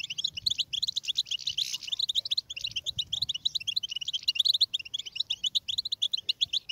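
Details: Stimulating twitter of a European goldfinch: dense, jangling high chirps and buzzy trills pour out without pause, briefly swelling into a harsher burst early on.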